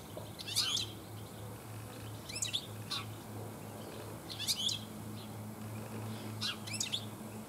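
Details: Goldfinch song in a garden during late afternoon, with many goldfinches present. Bright, high twittering bursts repeat about every two seconds over a low, steady hum.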